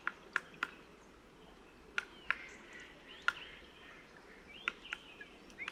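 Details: Black woodpecker in February, just before breeding season, very close in front of the recordist, drumming to mark territory: single sharp knocks at uneven gaps of roughly half a second to a second, over faint traffic hum.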